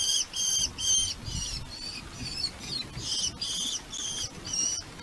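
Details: Red-footed falcons with their family at a nest, live camera in Polgár, Hungary: a series of loud, harsh, repeated squealing calls in short pulses, about two per second, over faint background rumble.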